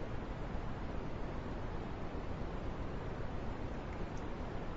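Steady low, even rustling hiss with no clear calls, mostly deep rumble and no distinct events throughout.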